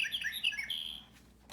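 Winter wren: about a second of very high, rapid tumbling notes and trills, bright and jumbled, ending abruptly into near silence.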